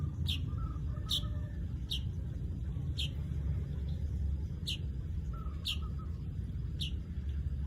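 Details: Seven short, sharp chirps from a weaver at irregular spacing of about one second, each slurring downward, over a strong low rumble like distant traffic.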